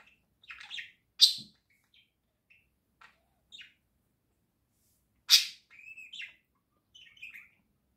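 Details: Two pet budgerigars in the morning: short scattered chirps and warbles with two loud, sharp squeaks, separated by moments of silence.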